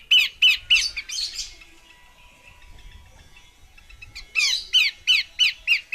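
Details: Female Horsfield's babbler uttering loud rasping notes, three quick ones, a noisy burst, a quiet gap, then another series of five harsh descending notes.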